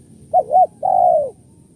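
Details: Spotted dove coo in the kuk 1-2 pattern used for luring doves: two quick arched notes followed by one drawn-out, gently descending coo, with little else audible.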